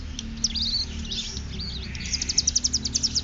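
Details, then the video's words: Ciblek gunung, the hill prinia, from Cililin in ngeriwik style: high thin twisting warbles that break into a quick run of sharp, evenly spaced high ticks near the end, with steady low hum beneath. "ciblek gunung ngeriwik bren cililin belajar fasih"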